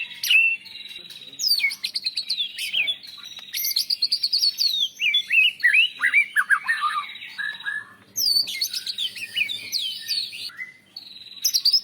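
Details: Champion-class white-rumped shama song rich in imitated phrases of canary, lovebird and cililin, used for training and calming caged birds: fast varied whistles, trills and sharp sweeping notes in dense bursts with brief pauses.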